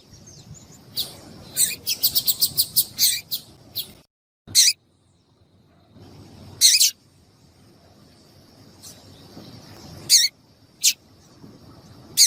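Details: Female double-collared seedeater calling, a sound breeders use to get males singing for tournaments: a rapid run of about ten harsh high chips, then scattered single chips after pauses, with a faint steady high tone.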